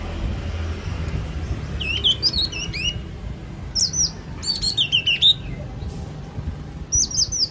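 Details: Repeated phrases of slurred, wavering whistles from a yellow-cheeked tit, several short bursts spread over seven seconds with faint low rumble beneath.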